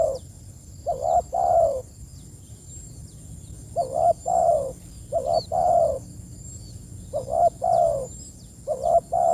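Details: Calling to companions, a spotted dove repeats hoarse, mellow coo phrases: a clipped upturned note, then a longer sliding note, in groups roughly every one and a half seconds, with a faint steady high hum throughout.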